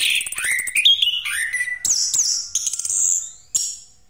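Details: Orange-headed thrush, Pastol type, singing a rolling lure song: descending, slurred whistled phrases give way to a prolonged buzzy high trill that fades out, ending with one brief sharp note.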